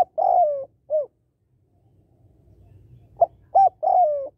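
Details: Female spotted dove giving calls meant to excite males: drawn-out falling coos and short clipped notes, with a pause and faint low rumble between bursts.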